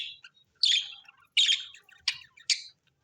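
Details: Pet budgerigars, described as happy, chirping indoors: short harsh, buzzy chirps spaced about half a second apart, each a quick burst dropping slightly in pitch, with small softer notes between.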